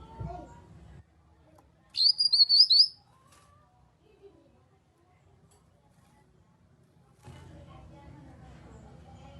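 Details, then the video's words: Single high, rapid warbled phrase of a grey-cheeked bulbul, lasting about a second, used to prompt quiet kept birds to sing back. Faint chatter comes before it, with long near-silence and low background noise afterward. "Pancingan Burung Kinoi agar ikut Bunyi Nyaut"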